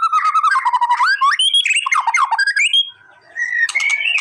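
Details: White-rumped shama song used to provoke a response: fast, fluid whistled phrases and buzzy rattling notes sliding up and down, a short silence, then clear rising whistles resume.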